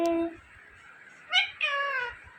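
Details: Pet Indian ringneck parakeet talking: a steady pitched tone, then a burst of nasal, speech-like syllables with stacked harmonics, sliding slightly downward like imitated words.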